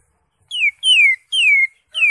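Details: Pure descending whistles from a greater green leafbird singing in lively ngentrok style full of fill notes, three long slurred notes sliding downward, each lasting about a third of a second, with a fourth beginning at the end.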